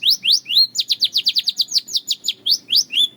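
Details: Belgian canary song of rapid, high, sweeping notes, a few rising slurs leading into a quick run of steeply falling syllables repeated several times per second.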